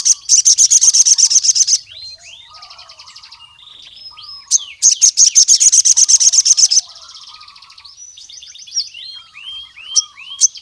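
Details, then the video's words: Javan cuckoo-shrike (sogon) calling out rival males: two long, loud runs of rapid high-pitched buzzing pulses, separated by varied rising whistles and low, chattering warbles. "SOGON GACOR MEMANGGIL LAWAN JANTAN"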